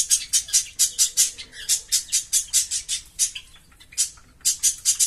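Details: Green Fischer's lovebirds, a pair, keep up a fast, rhythmic series of piercing, high chirps, around four per second. A short lull comes before the chirping resumes.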